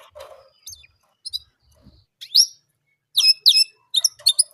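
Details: Orange German canary singing one repeated sound: soft rustling at first, then increasingly loud sharp chirps and brief trilled notes clustered toward the end.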